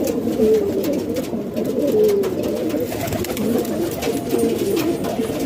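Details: Captive pigeons in a Pakistani home give short gurgling coos, a few clearer rolling phrases rising from a dense low chorus of the flock.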